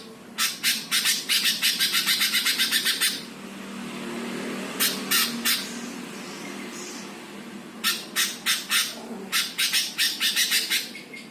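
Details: Greater green leafbird, tagged Jepara, singing a training song to provoke other birds: long, fast, machine-gun runs of buzzy, rasping notes, with a quieter gap and a brief shorter burst between.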